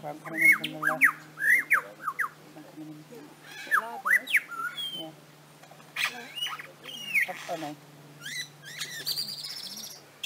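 A lyrebird pours out a varied mimicking song of rising whistles, sharp chirps, squawks and buzzy bursts, with rapid switches between borrowed sounds and a low steady hum behind.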